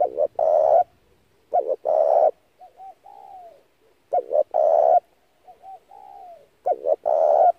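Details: Spotted dove calling as a decoy for dove trapping, repeating a phrase of two quick coos and one long coo about every two seconds, soft gliding notes between phrases.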